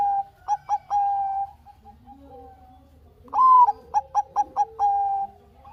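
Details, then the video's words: Lure song of a Bangkok zebra dove for coaxing lazy doves into singing: the end of a phrase of clipped notes and a sustained coo, a quiet pause, then a fresh phrase opening with a rising coo and bouncing staccato notes. "Pancingan Perkutut Bangkok Gacor - suara Kutut Bangkok Gacor ini paling AMPUH bikin Bunyi yang Malas"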